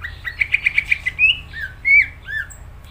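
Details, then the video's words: A greater green leafbird sings a quick run of six bright chirps, then slurred rising and falling whistles and varied squeaky notes over a faint low hum; song used as a tutor recording for other birds. "Cucak ijo gacor"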